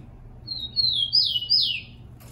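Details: Captive rufous-collared sparrow (tico-tico) singing, a recording played to train and warm up other caged birds; a long thin whistle slides into two louder slurred, down-swept notes, over a faint low hum.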